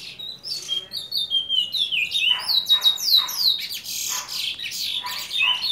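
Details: Juvenile chestnut-bellied seed finch, seven months old, singing indoors: a rapid, continuous run of high whistled phrases, falling and rising slurs mixed with sharp chips and brief buzzy notes, loud and unbroken throughout.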